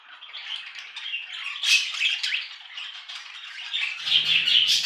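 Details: Budgerigar warbling, a continuous dense scratchy chatter of buzzy trills and squeaks without pauses, growing louder toward the end, where a faint low hum appears.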